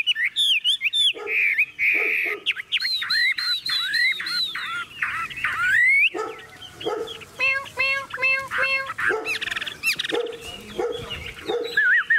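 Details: Caged, hand-tamed Chinese hwamei singing strongly while its cage is carried and shaken by hand: loud, varied whistled phrases with rising and falling slurs, rapid repeated notes and sharp trills, delivered in quick bursts with brief pauses.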